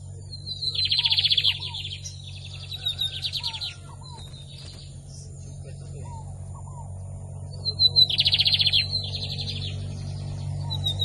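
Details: Lined seedeater (bigodinho) song: two bouts of dense buzzy trills, each a few seconds long and separated by a pause, with thin whistled notes between and a constant low hum in the background.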